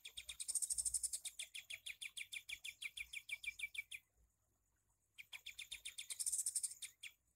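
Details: Torn-beaked Sooty-headed bulbul, a tutor bird for songbirds, singing in the shooting style: a sustained train of fast, sharp, high notes, loudest at the start, a one-second gap, then another intense rattling burst.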